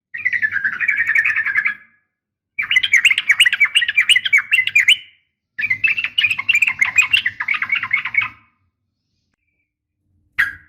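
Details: Calling female sooty-headed bulbul, uplik tarung style, provoking males. Three long bursts of dense, scratchy chattering, each a few seconds long and separated by short silences, end with one abrupt note.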